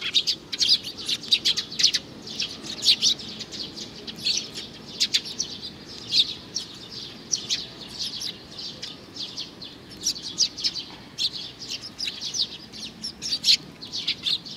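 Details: Long bout of chirping by a young sparrow: insistent high, clipped notes in rapid irregular clusters, loud and nearly continuous, with quiet background hum.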